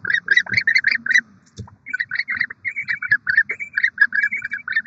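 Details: Barn owl pair at a nest with six eggs in Oceanside, California, December 2023; fast, repeated chittering and twittering notes in bursts, with a brief pause near the middle.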